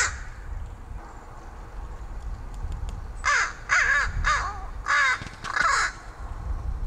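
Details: Crow that visits a fire escape to be fed, making rattling, muttering sounds toward its feeder: five harsh, slightly falling notes in quick succession midway, after faint ticks, over a low background rumble.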